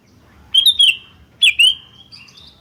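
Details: Sooty-headed bulbul (kutilang) calling back and forth in an energetic lure recording: two paired bursts of bright, slurred whistles, each sliding down into a drawn-out tail, with softer high notes trailing after.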